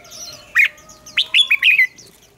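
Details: Red-whiskered bulbul in a singing contest, giving a short phrase of loud, slurred whistled notes after a faint high trill, with a steady low tone underneath.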